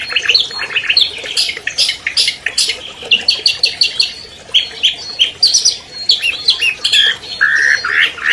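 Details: Long, varied song from a champion albino long-tailed shrike, used to draw stalled captive birds into song: mixed chirps, rasping bursts and whistles tumble together, with a clear steady whistle near the end.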